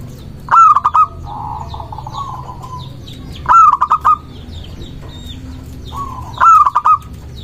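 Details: Local zebra dove singing, a recording used to lure doves and provoke rivals into answering; three cooing phrases about three seconds apart, each a stuttering run of short mellow notes ending in a longer level coo, with faint high chirps from other birds.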